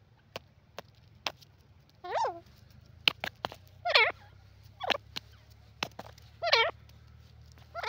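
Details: Grey francolin with loud, ringing, harmonic calls that rise and fall, repeated at irregular intervals of one to two seconds, punctuated by sharp clicks over a low steady hum.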